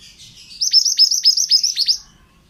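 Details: Male pied bushchat singing vigorously, a recording used to train other birds: a rapid run of about six high, sharp whistled notes, each dropping steeply, lasting about a second and a half over a quiet background.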